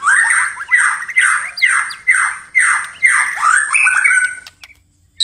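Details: White-rumped shama singing at night, a series of loud descending buzzy-whistled phrases repeated about twice per second, with a steady high hiss over it.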